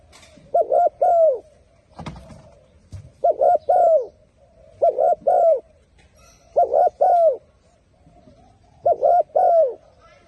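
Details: Cooing turtle dove repeating a soft two-part phrase about every two and a half seconds, five times in all. Each phrase is a quick paired hoot ending in a longer falling coo. A brief thump or knock sounds once early on.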